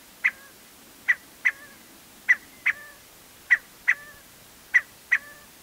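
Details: Scaled quail calling from a post near a trailhead in Embudito Canyon, Sandia Mountains foothills, Albuquerque, New Mexico, recorded with a shotgun microphone: short sharp two-part notes, each a clipped burst followed by a fading tail, given in quick pairs about every second.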